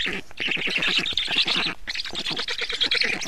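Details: Black stork nest, feeding at 19:52 on 24 June 2017: quick pulsed rasping squawks, a brief break near the middle, then more rapid harsh calling.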